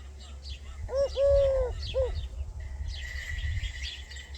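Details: Bird calling a phrase rendered 'sidi rabbi': one set of three clear arched notes, short, long and drawn-out, then short, followed by a steady high thin tone and scattered faint chirps against a low background hum.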